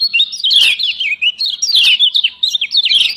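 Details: Shrill, continuous twittering from a female lemon-bellied white-eye of Lombok, a call used to provoke quiet birds into song. Rapid zigzagging high notes run without pause.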